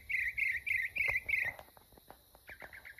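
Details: Singing mockingbird repeats a harsh, buzzy note about six times at a steady pace. After a pause it starts a second, quicker series of similar notes.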